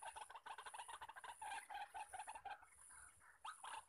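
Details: Male white-breasted waterhen calling in the wild near a decoy: a series of strong croaking notes about three per second that stops after two and a half seconds, then a softer call returns, insects whining high.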